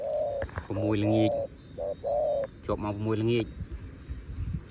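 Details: Dove calling close to nightfall, giving short steady low cooing notes, with deeper droning harmonic sounds in between.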